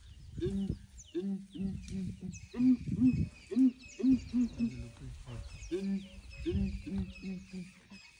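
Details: Ground hornbills boom at dawn while elephants of a breeding herd approach to investigate, some apparently disliking the calling; deep hollow hoots come in rhythmic bursts, several birds overlapping, with faint rustling around them.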